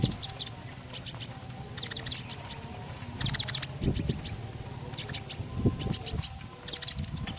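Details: Common iora song used as a lure to prompt other birds: bursts of high, sharp repeated notes in short clusters every second or so, with a low background hum.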